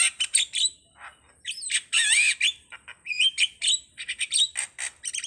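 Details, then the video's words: Starling song made of rapid harsh chatter and squawks, with a loud rasping burst near the middle and quick wavering whistled notes, delivered in dense clusters. "suwara //burung jalak//"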